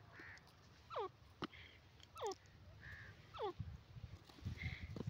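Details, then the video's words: Yellow francolin, known locally as Irani teetar, giving loud descending harsh notes with harmonics, three calls roughly a second apart, with softer mid-pitched hoarse notes between them and low rumbling background noise. "irani teetar ki awaz yellow francolin voice"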